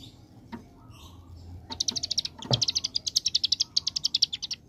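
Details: After a few soft knocks, a ciblek gunung prinia launches into its rattling 'ngebren AK47' song, a steady rapid string of piercing high buzzy notes.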